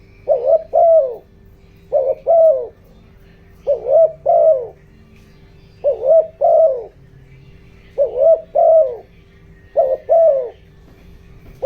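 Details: Decoy spotted dove giving the 'giọng đồng' coaxing coo meant to stir wild doves. Six soft paired coos, a quick two-part note and then a drawn-out falling one, come about every two seconds above a constant low hum.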